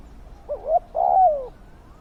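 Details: Single spotted dove phrase, used to lure wild doves: two quick soft hoots followed by a long, full coo that slides steadily downward.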